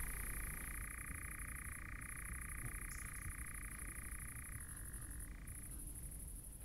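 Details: At night in Chizé state forest, Poitou-Charentes, France, a European nightjar churrs in a steady, unbroken mechanical trill that drops slightly in pitch near the end. Several males are holding territories nearby. A constant high insect hiss and low rumble run underneath.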